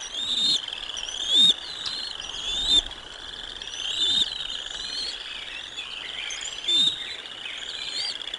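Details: Bald eagles at the Decorah North nest on 05 06 2022 as lunch is brought to the eaglets: thin, high chirps and short upslurred squeals repeat every second or two over a steady background hiss.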